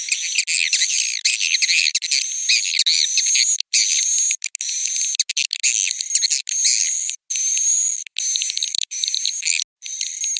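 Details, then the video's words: Swiftlets giving roosting calls: dense shrill chirping and buzzy twitters with a thin level whistle, in long runs broken by short pauses. "Suara Inap Burung Walet"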